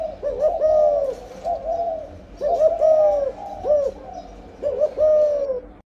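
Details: Spotted dove during breeding, cooing 'âm lối' style: three clear, low, gently wavering coo phrases, each with a quick double note before a longer sliding coo, at a slow steady pace.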